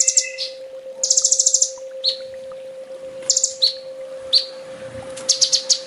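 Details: Sunbird training song: high, fast trills alternate with sharp descending chip notes and short clustered bursts, delivered in quick irregular phrases over a steady low hum.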